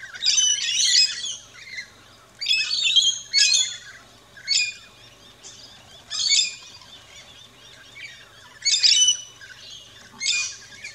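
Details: Feeding rainbow lorikeets in an Australian backyard, calling in harsh, screechy squawk bursts about every one to two seconds, with softer chirping between.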